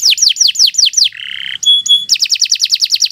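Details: Canary singing long and without pause, as a tutor recording for training other birds: a run of fast downward-sweeping whistles, then a buzzy lower note, two clear sharp tones, and a quicker run of sweeping notes.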